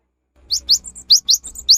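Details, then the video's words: Cinereous tit delivering a rapid burst of sharply rising high whistles, interspersed with short flat higher notes, packed closely within under two seconds. "Suara GELATIK BATU GACOR"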